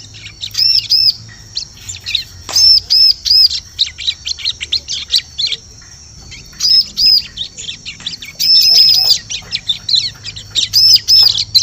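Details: Bar-winged prinia lure sound meant for forest use: long series of sharp, high chirps broken by groups of bright arched whistled notes, fairly steady throughout.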